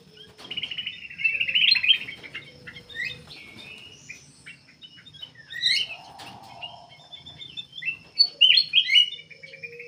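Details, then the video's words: Black-capped bulbul in constant song used as a lure for other birds: rapid chattering whistled phrases, sharp clicks, a buzzy mid-pitched trill, then loud bright whistled bursts, over a low background hum. "KUTILANG EMAS \ CUCAK EMAS GACOR FULL GACOR sangat bagus buat pancingan \ pikat"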